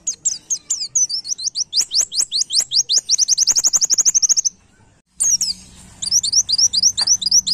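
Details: White-eye master song for training caged birds: a long accelerating series of high slurred whistles ending in a fast trill, then after a brief gap more rapid whistled notes over a low hum.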